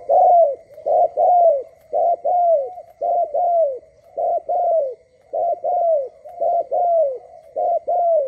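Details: A dove coos in the early morning, steady soft mellow pairs: a short note then a longer falling one, about once a second, with no other sounds.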